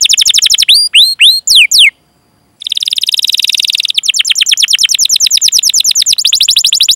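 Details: Canary singing a long, lively 'cuit cuit' rolling song, used to prompt young, untrained or silent canaries to sing. Sharp down-slurred whistles open, then a short pause, then rapid buzzy rolling trills repeated several times per second.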